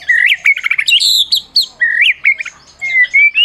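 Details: White-rumped shama, a Medan-type prize winner used to stir other shamas into song, gives bright rising whistles mixed with high chattering notes, short pauses between phrases, and a final pair of clear upslurred whistles.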